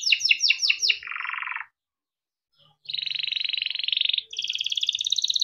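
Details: Timbrado canary singing for training: five quick descending notes, then a low buzzy roll, a short silence, and two long, even, rattling rolls, the second slightly higher.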